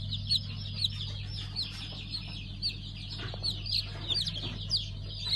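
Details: Newly hatched pheasant chicks of five colour varieties, recorded 3 August 2019; many high, thin peeps repeat rapidly and overlap throughout, over a steady low electrical hum.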